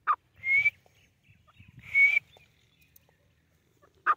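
Grey francolin female calling: two drawn-out, slightly rising whistles about one and a half seconds apart, framed by short sharp notes, with faint low rumbling behind.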